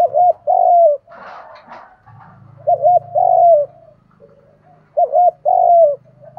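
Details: Spotted dove coo meant to incite wild-caught doves to answer and fight: three phrases of paired short notes and a long falling coo, with a steady low hum and a brief rustle behind.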